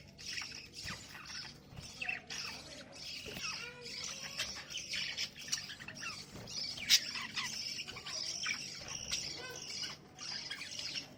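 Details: A flock of budgerigars eating boiled potato chatters steadily with high, scratchy chirps and warbles.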